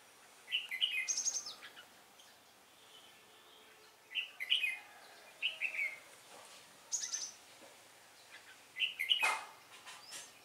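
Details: Decoy Red-whiskered bulbul at a trapping site on December 10, 2016, giving its fighting song: five brief, warbling chirpy phrases spaced a couple of seconds apart, soft and slightly distant.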